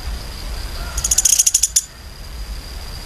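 A woodpecker gives a quick rattling burst of about nine sharp, high notes in under a second, over a faint steady high-pitched hum.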